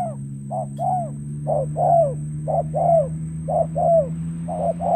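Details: Spotted dove used as a lure bird for trapping in Cà Mau, Vietnam, recorded 21 February 2024: soft, hoarse coos in paired phrases, a short note then a longer falling one, repeated about once a second over a steady low hum.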